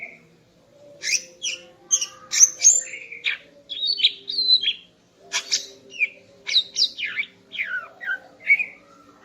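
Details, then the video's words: Morning song of a female greater green leafbird, meant to stir a male into breeding condition: after a short pause, a busy stream of varied whistles, quick downslurs and twittering notes, with a soft constant hum beneath. "Kicau Burung Cucak Ijo Betina Pagi Hari untuk Naikkan Birahi Cucak Ijo Jantan"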